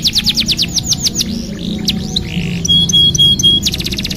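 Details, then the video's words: Canary singing meant to prompt a stalled bird to sing: quick falling whistles, then mixed warbled phrases, a sustained high buzzy trill, and a closing rapid series of sharp notes. "TERAPI PANCINGAN KENARI MACET | CANARY SINGING"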